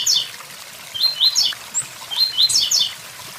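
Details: Blue-black grassquit giving quick high buzzy notes in short runs, several phrases within three seconds, with waterfall noise steady in the background.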